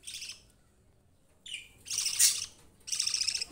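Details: Pet budgerigar chicks sharing space with rabbits make three bursts of grating, chattering chirps, a short one first and then two louder, longer ones after a pause.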